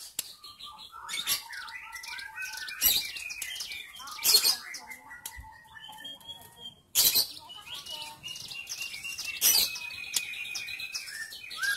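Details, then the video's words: Female white-rumped shama kept as a caged bird to encourage silent males to sing; mixed chattering phrases, trills and whistles with a few sharp bursts, moderately loud over light background noise. "MURAI BATU BETINA GACOR BISA UNTUK TERAPI BURUNG BAHAN DAN MURAI MACET BUNYI AGAR GACOR"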